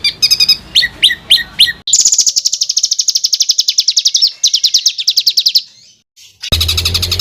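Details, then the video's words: Songbird training recording with a rough, tight rolling style, meant for tutoring contest birds: short chirp bursts, then a long fast buzzy trill held high, and an abrupt cut into harsher chatter. "ROLL RAPAT KASARAN || TEMBAKAN Kasar Untuk BURUNG FIGHTER"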